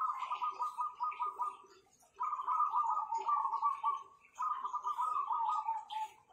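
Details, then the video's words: Zebra doves with a notably powerful voice: three bursts of rapid, purring, trilled cooing, each lasting under two seconds and dropping slightly in pitch at the end, separated by short quiet gaps. "Perkutut-perkutut ini Power suaranya mantapnya bukan main"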